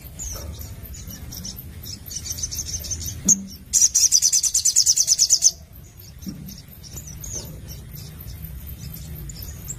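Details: Crimson sunbird in 'nembak' singing: soft high twittering leads into a loud, rapid trill of shrill repeated notes lasting nearly two seconds, then quieter thin chirps resume.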